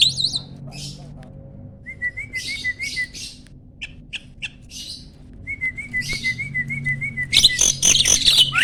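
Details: Mature male Asian pied starling in breeding condition during pumping display: scattered rasping notes and clicks alternate with a steady warbling whistle, ending in a dense loud harsh outburst.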